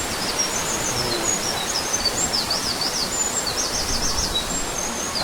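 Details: A Eurasian wren in the mossy Akame 48 Waterfalls ravine, Mie Prefecture, Japan, sings a loud, very high, rapid run of trills and chattering notes over a nearby stream; its powerful song is thought to suit streamside life.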